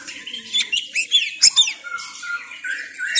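A white-rumped shama sings a rich, varied string of clear whistles, quick downward sweeps and sharp chirps, high-pitched and changing every fraction of a second.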